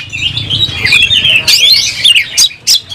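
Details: Oriental magpie-robin, eager and aggressive with its tail spread for a fight: a loud, rising and falling whistled phrase, then a few sharp scratchy notes spaced by brief pauses.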